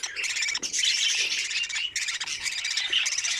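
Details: Young budgerigars in their nest during feeding: dense, scratchy squawking in long overlapping bursts, broken by short pauses.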